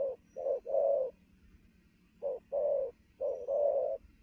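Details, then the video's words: Spotted dove, newly caught, cooing fast at midday: two quick phrases of low soft notes, each a short coo leading into a longer swelling one, separated by a second of quiet. "thổ gù tốc độ, 12h trưa mà bổi quá sung"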